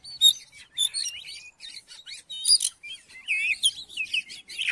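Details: Oriental magpie-robin singing, used to provoke a reluctant magpie-robin into singing: a rich, fast run of varied whistles, chirps and slurred notes, some sweeping up and down, others sharp and buzzy, delivered continuously with no other sounds.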